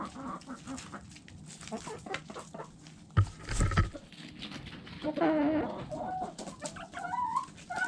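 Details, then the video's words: Chickens feeding amid pecking clicks, with a heavy low thump partway through, then a series of loud, drawn-out nasal clucks and calls toward the end. "Chickens Eating Pecking Sounds Noises"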